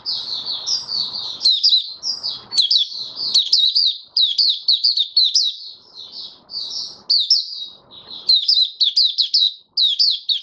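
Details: Male white-eye (Mata Puteh) settling into form with an opening song, dated 08012022: a rapid run of high, twittering, slurred chirps with brief pauses, and faint low background noise in places.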